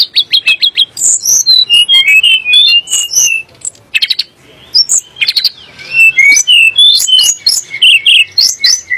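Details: Sunda blue robin singing to goad magpie robins and other songbirds: begins with a quick stuttered series of repeated notes, then a busy stream of varied whistles, chips and trills with a short lull midway.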